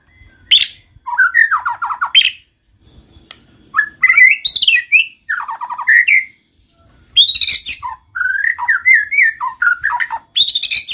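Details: White-rumped shama (murai batu) singing as a lure to prompt other shamas to sing: varied phrases of whistled, warbling notes sliding between low and high pitch, in bursts separated by short pauses.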